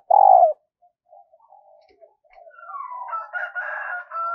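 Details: Spotted dove used as a lure for wild doves, practising its song: one strong, low, mellow coo opens, followed by soft broken notes and a rooster crowing in the background.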